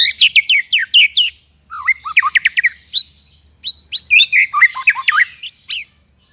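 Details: White-rumped shama used as a training model for other songbirds: bursts of rapid, sharp, high chirps and downslurred whistles, broken by short pauses, lively and varied throughout.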